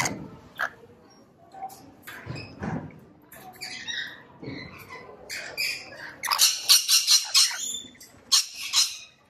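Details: Rainbow lorikeet with scattered sharp chirps at first, then a loud burst of rapid, rasping screeches repeated several times a second before trailing off.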